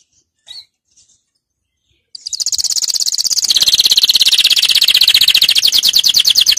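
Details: Canary song offered to train young birds, opening with two faint chirps over silence, then a fast, steady, high rolling trill that grows louder and continues to the end.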